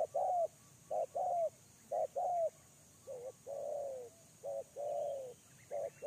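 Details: Lure-bird spotted dove facing a wild dove. Its mellow, hollow coo phrases run in pairs of a brief note and a longer falling coo, some softer and more drawn out, repeated roughly every second.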